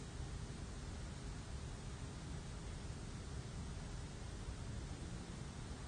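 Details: Constant broadband hiss and low rumble, like wind or distant traffic, with no animal calls.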